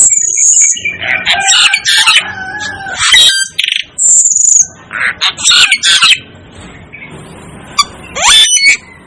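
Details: High metallic whistles and busy chattering chirps from Asian glossy starling (Aplonis panayensis), the 'devil' bird, delivered in clustered bursts followed by a quieter stretch and a final sharp flurry.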